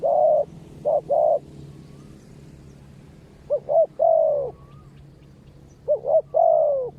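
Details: Spotted dove used in ground decoy trapping, calling to wild birds. It gives three low cooing phrases, each of one or two short coos followed by a long, steady coo, repeated about every two and a half seconds. A faint higher whistled note is heard between phrases.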